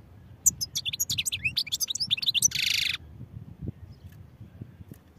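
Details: Rapid, high, liquid twittering from a European goldfinch for about two seconds, ending in a harsh buzzy note of half a second, then quiet with faint low background noise.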